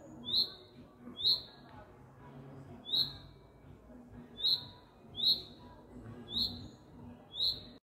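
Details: Bird calling for a mate from its nest in a courtyard in spring, repeated sharp high chirps with a falling slur, seven or eight in irregular spacing, over low murmuring background sounds.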